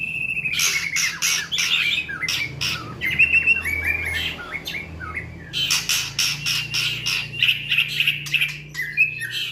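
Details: Song of a white-rumped shama: a sweet whistled opening, then dense harsh chattering notes, whistled slurs and rapid scratchy bursts in a loud, varied, fast-paced sequence.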